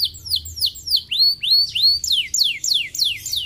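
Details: Canary song played as a lure to get lazy canaries to answer and sing: a steady series of clear, high whistled notes sweeping downward, about three per second, with the later notes curving up before falling.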